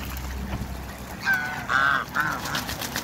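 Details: A newly arrived pair of mallard ducks in a backyard; three short, nasal, honking quacks come in quick succession over a steady low hum.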